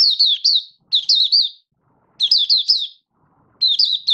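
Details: Malaysian Oriental white-eye (Mata Puteh), a hobby songbird not yet in form, in buka sing opening song: four quick bursts of high, bright warbled notes, each a run of three to four rising-falling chirps, with silence between.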